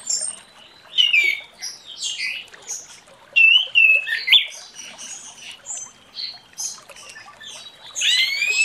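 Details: Orange-headed thrush singing in the morning: a varied run of clear whistled phrases and rough notes at changing pitches, with short gaps and scattered high chirps throughout.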